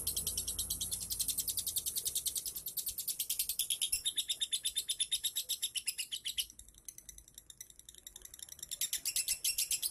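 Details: Lovebird 'ngunci' prompt trill for coaxing a lazy singer: thin, very high rapid chattering pulses running continuously, fading briefly midway before strengthening again.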